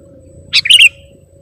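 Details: A single sooty-headed bulbul call used to lure other bulbuls: a quick bright chirp followed by a slurred, bubbling double note, over a faint steady hum.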